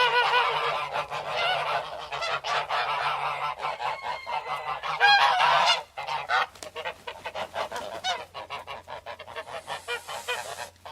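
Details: Geese calling together in a noisy flock: overlapping nasal, harmonic honks and cackles pour out almost without pause, fading into scattered quieter honks toward the end.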